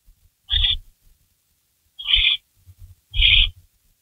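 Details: Barn owl during a rabbit delivery at the nest, 3:53 AM, May 16 2012. Three rough, hoarse, high calls a bit more than a second apart, over low rumbling bumps and scuffling.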